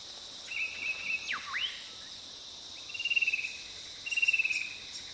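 A fan-tailed cuckoo gives short, high rattling trills that fall slightly in pitch, about a second apart, over a steady hiss of insects and one swooping whistle.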